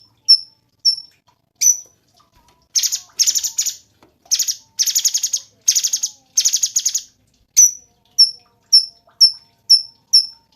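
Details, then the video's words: Cungkok singing, a bird kept for song training: sharp high chipping notes alternate with dense buzzy rattling bursts, then more evenly spaced chips about twice per second. "SUARA BURUNG CUNGKOK SUPER GACOR"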